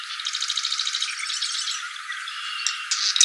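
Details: Plain prinia, a small bird singing very actively: a run of rapid, buzzy, high-pitched notes repeated in quick succession like a dry rattle, ending in a louder burst.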